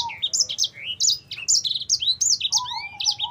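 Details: Fighter-style sanger, the black-throated canary, delivers a rapid chain of bright high chirps and rising slurred whistles, recorded as tutor song, with a soft lower whistle entering near the end.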